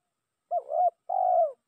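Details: Spotted dove coo used as a lure to call a rival: a broken, wavering first phrase followed by a smooth, sustained, gently falling coo, clean with no other sounds.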